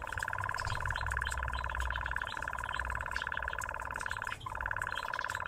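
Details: Nightjar singing while interacting with a person: a continuous rapid churring trill, evenly pulsed and unbroken except for one brief dip near the end, over a low background rumble.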